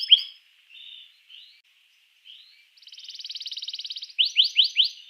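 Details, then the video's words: A canary sings softly at first with scattered thin notes, then a sustained buzzy rattle and a closing run of loud rising chirps, a song meant to get other canaries singing. "suara kenari ini 99% jitu sekali membuat kenari lawan gacor"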